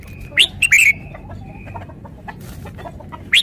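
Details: Red-whiskered bulbul giving quick chirpy warbled notes around one second in, a faint thin whistle held beneath, scattered soft clicks, and a final short rising note at the end.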